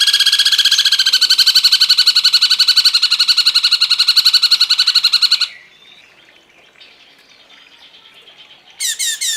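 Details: Cungkok bird song played as a training recording: a fast, steady trill of buzzy, harmonic notes, nearly four per second, for over five seconds. Quiet background follows, ending in a few high chirps.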